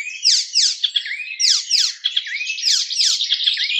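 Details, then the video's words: A songbird (cemblek kristal eropa) in rapid "nembak" song pours out a fast, unbroken, high-pitched warble of sharp chirps, rising and falling sweeps and scratchy trills, with no other sounds. "Cemblek kristal eropa suara nembak nembak"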